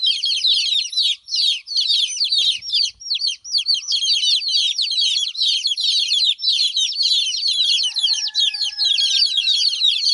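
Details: Hen's chicks crying because their mother is not around: many shrill, descending peeps pile into a steady, restless chorus. A soft knock comes early, and a faint whine is heard near the end.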